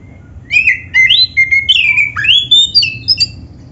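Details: Song of the oriental magpie-robin, the black-breasted kacer, used to coax other birds to sing: a fast, varied string of bright whistles, upward slurs and squeaky notes running on without a break.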